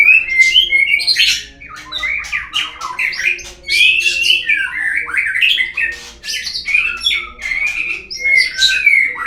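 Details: Lure recording of a white-rumped shama, played to coax birds into singing: a dense, fast stream of varied whistles, rasps and twittering notes, almost unbroken.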